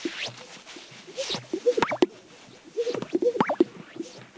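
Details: Male greater sage-grouse strut display on a spring lek near Hudson, Wyoming: swishing rustles and soft low bubbling, then two sharp, liquid 'burp' pops from its inflated vocal sac, repeated twice within about four seconds.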